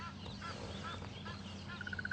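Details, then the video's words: Egyptian goose at a dam near Djuma/Arathusa, South Africa, on a morning drive on 3 January 2015, calls agitatedly in the distance with harsh honks ending in rapid, evenly spaced notes, amid birds worked up by a nearby leopard; engine rumble. "there's an Egyptian goose complaining about something down at the dam in the background that you can hear"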